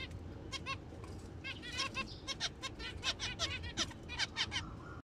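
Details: Zebra finches in breeding season give quick, nasal, toy-trumpet beeps, several a second in uneven bursts, with a low rumble of background noise underneath.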